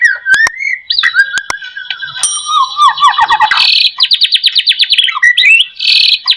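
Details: Murai batu (white-rumped shama) song for prompting other shamas to sing: sliding whistles, a fast trilling run, then rapid buzzy high rattles and sharp clicks in a dense continuous stream.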